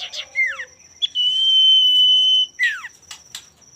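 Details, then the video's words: Singing male common iora, used to provoke rivals: a falling whistled slur, then one long level whistle held over a second, followed by another sharp downslurred note and a couple of clicks, with a thin high background tone. "pancingan burung sirtu/cipoh gacor jantan bikin lawan ikutan gacor"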